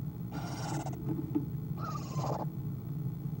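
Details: Owl at the nest making a quiet sound, nest camera, 1:20pm, 5-11-2015: two close breathy hisses, the second carrying a faint falling tonal whine, with a small click between them and a low hum underneath.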